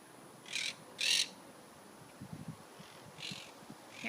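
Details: A flock of some 60–70 monk parakeets perched high on telephone wires on a stormy Sunday morning in League City, Texas, gives harsh, grating squawks in short bursts, loud when they all fly.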